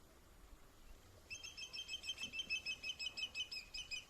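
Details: Greater Yellowlegs in a wetland in April, giving a rapid run of clear, ringing whistled notes, about five a second, over a quiet background; marsh wrens and red-winged blackbirds heard in the distance.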